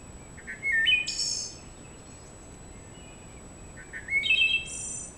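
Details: A wood thrush in a forest, recorded on a game camera, sings two flute-like phrases, each climbing through a few clear notes into a high, shimmering trill, a few seconds apart in a quiet setting.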